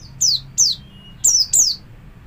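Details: Javan white-eye kept as a pet, ngalas-style song used to train other birds: four loud, piercing notes, each sliding steeply downward, given in two pairs with short gaps, background otherwise quiet apart from low hum.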